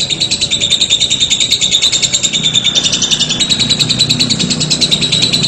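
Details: Lovebird trilling in a drawn-out ngekek, a rapid high chatter of buzzy pulses that grows slightly stronger midway, over a soft low hum.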